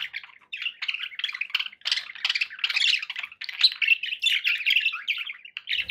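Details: Budgerigars kept as pets warble almost continuously, a dense scratchy stream of chirps and buzzy notes with small squawks woven in and barely a pause.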